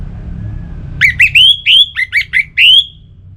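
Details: Orange-headed thrush song used to prompt kept birds: a lively string of about eight loud, rich whistled notes, rising slurs and longer drawn whistles, over two seconds, with low background rumble.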